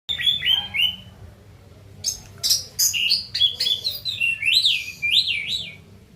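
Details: Caged orange-headed thrush singing after a night bath. A few clear whistles open, then a dense run of sharp high chirps and rapid rising-falling warbled notes, with a low steady hum behind.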